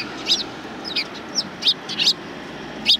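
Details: Sparrows welcoming the filmer on 7 April 2020 along the outward route, among them a bird with a hurt foot; six short high chirps spaced roughly half a second apart against faint low rumble.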